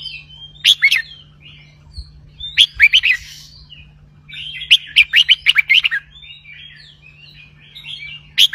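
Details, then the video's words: Red-whiskered bulbul delivering 'bern roi' song: loud clusters of liquid whistled notes at irregular intervals, including a longer run of about eight rapid notes, joined by quiet twittering. A constant low hum runs throughout. "นกกรงหัวจุก (เจ้าตอก) เบิ้ลร้อยเพราะ ๆ"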